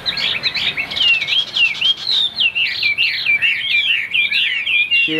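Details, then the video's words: A caged white-winged, white-tailed Chinese hwamei, which arrived only the day before, pours out a loud, unbroken run of rich, high whistles and fast slurred warbles, rising and falling throughout, with little else heard. "Hót cao cầu l Hoạt Họa Mi"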